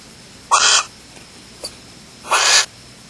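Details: At a Starr Ranch barn owl nest holding chicks, 9:27 PM, 30 June 2010, after mating: two drawn-out, harsh screeching hisses about two seconds apart, with a faint tick between them.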